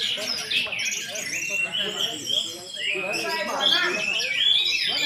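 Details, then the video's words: An orange-headed thrush delivers a 'teler' style song, a flowing run of high warbles, rising whistled slurs and scratchy notes with a brief lull midway. A faint lower murmur runs underneath. "Anis Merah Teler Berkualitas"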